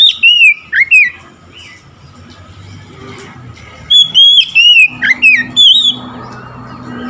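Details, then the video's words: Singing oriental magpie-robin responding to another magpie-robin nearby: two bursts of rich whistled notes, each a quick series of slurred, dipping phrases, with a low steady hum and faint chirps between them. "SEKETIKA MENDENGAR KACER LAIN LANGSUNG IKUT GACOR"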